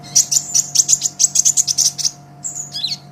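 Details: Brown-throated sunbird (kolibri ninja), lively master song for training songbirds: a fast, even trill of about fifteen high, sharp notes, a brief pause, then a thin whistle and a twisting chirp, over a low hum.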